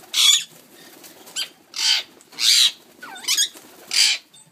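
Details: Ringneck parakeet screeching: five harsh, loud, broadband squawks in under five seconds, the fourth bending into a rising and falling whine, over a low rustling background.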